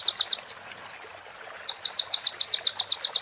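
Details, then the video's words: Crimson sunbird (konin) singing on a clean training recording: a few sharp high notes, thin drawn-out whistles, then a steady rapid series of bright, clipped repeated notes. "MASTERAN KONIN FULL ISIAN PRENJAK BETINA SAMBUNG CIBLEK BREN JERNIH JEDA ORIGINAL DARI SUARA KONIN"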